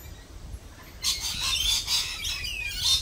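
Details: Lorikeets at a cafe, a sudden burst of high, rasping chatter that continues in noisy overlapping squawks after a quiet opening second.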